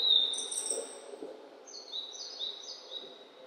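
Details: Blue-and-white flycatcher singing in mountain forest in spring, cloudy, 14°C, the day after rain: thin, high whistled notes, some slurred and some in short descending steps, over a soft hiss of background noise.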